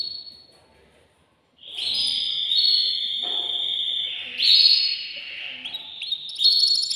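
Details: Male canary in a cage, excited and singing to arouse a female for mating, gives a long, drawn-out, high whistled roll that swells, shifts pitch slightly, then breaks into a brief fast trill.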